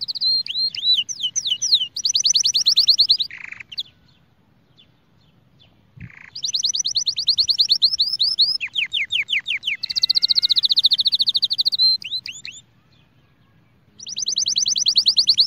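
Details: Spanish Timbrado canary song used to train young birds, prepare females and excite males: long rapid rolling trills of repeated high notes, some sweeping downward, in two-to-three-second bursts separated by silent pauses.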